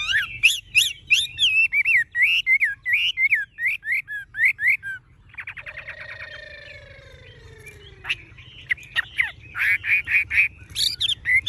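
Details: Tame Chinese hwamei with yellow legs, bill and plumage, singing nonstop: rapid run of loud, bright, rising and falling whistled phrases, then a smooth descending slurred note and a chattering finish of quick repeated notes.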